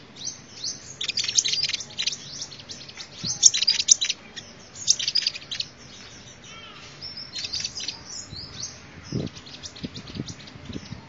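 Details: Sunbird song offered as a calling lure: bursts of very high, thin, rapid twittering chirps, loudest and densest in the first six seconds, then sparser scattered notes over a faint low background hiss.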